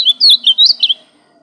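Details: Ultramarine grosbeak, known as azulão, delivers a brief burst of bright slurred whistles, four to five quick swooping notes, ending abruptly in quiet.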